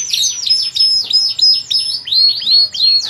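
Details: Canary, loper type, singing cengkok song: a series of sharp, high, down-slurred whistled notes repeated about three times per second, clear and loud.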